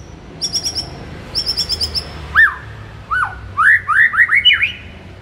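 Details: White-rumped shama morning song, used to rouse a kept shama: quick high ticking notes repeated in two short series, then loud slurred whistles that rise and fall, repeated in a fast run.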